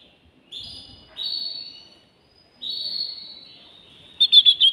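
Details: Male canary singing to stimulate a female for mating: drawn-out pure whistled tones, each about a second long with pauses between, closing with a short burst of rapid pulsed notes.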